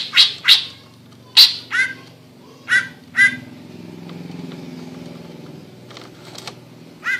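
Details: Greater green leafbird (Chloropsis sonnerati) giving a chattering 'ngekek' song of sharp, scratchy notes in uneven bursts of one or two, with a low hum of distant traffic between phrases.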